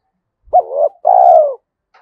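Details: One spotted dove coo in the 'giọng thổ' style, a voice described as good for the forest when luring: short rising syllable, brief pause, then a long steady hooting note.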